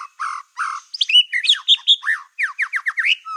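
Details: Black-tailed white-rumped shama song used to rile other shamas: two low rough notes, then a dense jumble of whistles and quick descending slurs in rapid succession.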